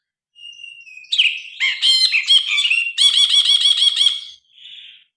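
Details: Grey-cheeked bulbul singing actively, recorded on a phone for tutoring cage birds. A thin held whistle grows into varied, loud, chattering notes, then a fast regular run of rich repeated notes, ending with a soft hiss-like note.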